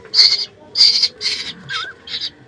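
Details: Hand-reared oriole and koel chicks being fed grasshoppers at night indoors give harsh, hissing begging rasps, five bursts about every half second, with a brief thin whistle and people talking softly nearby.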